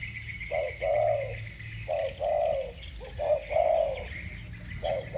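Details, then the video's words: Spotted doves with thổ bầu style voices dueling in song; mellow low coos, a short note then a longer rounded one, in uneven phrases, over a faint background hum and high insect buzz. "Tiếng chim cu gáy giọng thổ bầu. 2 con giọng thổ bầu solo với nhau"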